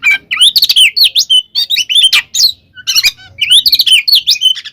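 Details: Oriental magpie-robin fighting song used as a provoking lure for other kacer: bursts of rapid zigzag whistles and chips in clusters, separated by short pauses, with a harsh rasp near three seconds.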